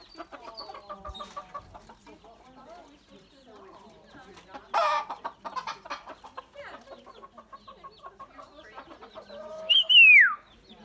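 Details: Common myna, said to have many calls and to learn human voices, produces a long varied run of harmonic chattering notes, rasps and clicks, ending in a loud high whistle that slides downward.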